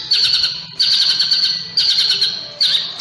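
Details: White-rumped shama sunbathing in the morning, singing short bursts of high, harsh, rattling trills. Each burst starts loudly and fades, repeating about every second.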